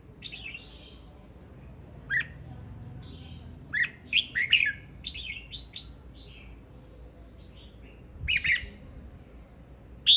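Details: Singing male red-whiskered bulbul delivering scattered short phrases of clear, bouncy whistled notes, some rising, some falling, with pauses of a second or two between bursts; low steady background hum.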